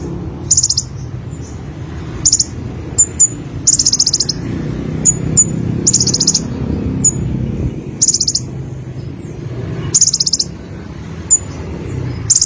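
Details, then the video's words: Olive-backed sunbird in vigorous song, repeating short, very high, buzzy trill bursts every one to two seconds, with sharp thin chip notes between them, over a faint low rumble. "BURUNG KONIN SUARA GACOR"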